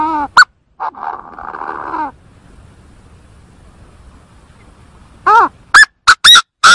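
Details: Chinese francolin call from a bird-trapping lure recording: drawn nasal tones at first, a quiet gap, then the start of a loud, harsh series of sharp arched notes.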